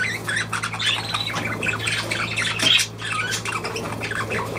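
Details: Budgerigars in a home setting keep up a chattering mix of squeaks, buzzy trills and sharp chirps, with a brief lull near the end and a low hum beneath.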